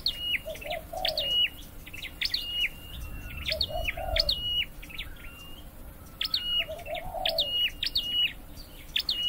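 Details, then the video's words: Song of a Scarlet-headed flowerpecker kept caged for training: clusters of sharp high chirps and short even whistles come in bursts with brief pauses. A soft, low cooing bird calls three times behind. "Deep red-headed birds(Dicaeum Trochileum): Birds thoroughbred training for singing chirped"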